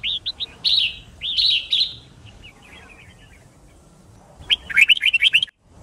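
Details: Red-whiskered bulbul singing, used to train birds to learn song and fight-sing: short whistled phrases near the start, then a rapid burst of bright chirping notes after a pause, over a faint background hiss.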